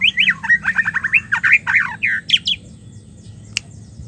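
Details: Call of a female white-rumped shama, meant to coax a stressed male that has stopped singing into song: rapid run of sharp chirps and squawky notes for about two and a half seconds, then near silence and one click.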